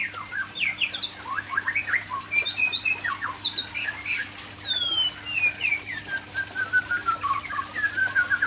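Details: Aceh white-rumped shama singing a varied run of whistled, slurred notes, short rising and falling phrases followed by a long descending whistle and a rapid sequence of sliding notes; a steady low electrical hum underneath.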